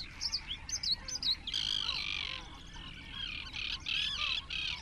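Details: Great crested grebes at their nests, one of about twenty pairs nesting close together, 21 June 2024; three quick squeaky notes lead into a long harsh grating call, then rasping bursts return near the end.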